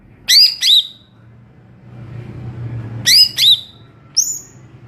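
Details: Greater green leafbird singing in the ngeplong style: two loud, bright whistled notes sliding downward, a pause with low background hum, then the pair repeated and a final high rising note.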